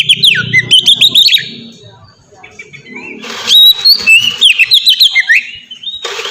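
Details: Lure song of a white-rumped shama meant to set other shamas singing: quick whistled trills and slurred notes in two bursts separated by a quiet gap, with faint low rumble early on.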